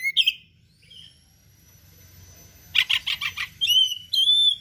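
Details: Oriental magpie-robin in gacor style with varied imitated phrases: sharp whistles, a burst of four rapid buzzy notes, then slurred rising whistles, separated by a quiet pause and low background hum.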